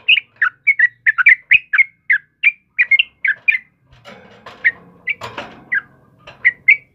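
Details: Yellow-vented bulbul (trucukan kebo) in lively song, recorded as a master for caged birds: quick chirps for several seconds, then harsh broadband noise with sparser notes.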